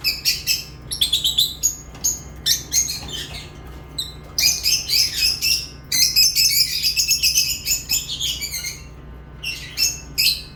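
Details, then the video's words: Lovebirds keep up long runs of fast, shrill, chattering chirps, dense rapid high squeaks in bursts of one to two seconds with brief pauses between. "Love birds chirping sounds"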